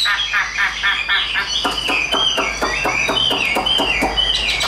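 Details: Caged, hand-tame Chinese hwamei in loud song. Fast trains of clicking notes run under sliding whistled phrases that wander up and down, with a faint steady high tone behind.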